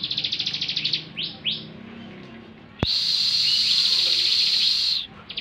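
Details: Bar-winged prinia (Prinia familiaris) song: a run of rapid high chips and a few quick downslurred notes, then a long, fast, buzzy high-pitched trill lasting about two seconds.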